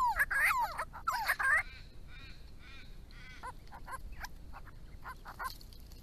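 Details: Grey-crowned babblers from a small group coming to a purpose-built pond: two loud bursts of harsh, slurred, overlapping calls in the first second and a half, then softer scattered chatter and faint notes fading away.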